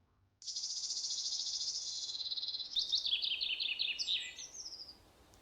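Wood warbler song: a high, dry, shivering trill lasting about two seconds, then a run of quick, falling, sweet notes and a few thin high notes.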